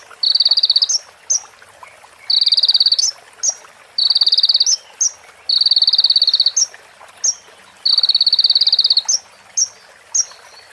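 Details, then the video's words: A sunbird tutoring recording with prenjak and ciblek fill-ins: five high buzzy rattling bursts, each capped by a sharp upward flick, with lone rising chips between them and steady hiss in the background. "MASTERAN KONIN FULL ISIAN PRENJAK BETINA SAMBUNG CIBLEK BREN JERNIH JEDA ORIGINAL DARI SUARA KONIN"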